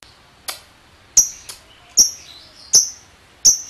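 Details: Lovebird, from a recording used to provoke other lovebirds into a long ngekek trill: sharp, piercing single chips with quick falling tails, spaced irregularly under a second apart, some fainter in between.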